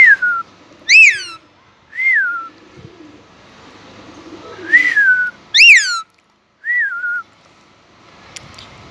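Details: Pet Indian ringneck parakeet, a talking bird using Urdu/Hindi words: soft arched whistles mixed with two loud harsh rising-falling screeches, spaced irregularly, in a quiet room.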